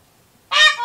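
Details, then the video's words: A male Indian peafowl in a residential area of Cocoa Beach, Florida, on 14 August 2019 gives a single loud, nasal, brassy honk that starts abruptly after a moment of quiet and holds steady before easing off. "Male Peacock Calling Trumpeting Honking"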